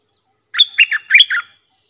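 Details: Sooty-headed bulbul song for training young and hand-fed birds and luring wild birds. A crisp phrase of five quick notes: a high whistle, a loud warble, then lower and higher slurred notes, in a silent background.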